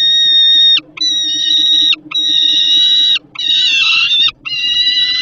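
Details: Peregrine falcon fledgling begging at PGNiG Termika Żerań, Poland, 10 August 2022, as its sibling eats food brought by a parent. Loud, sustained nasal wails repeat about once a second, over a low hum.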